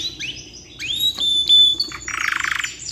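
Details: Canary in lively, long song suited for tutoring young birds: clear high whistles sliding upward, a steady held whistle, then a fast buzzy rattling trill closing the phrase.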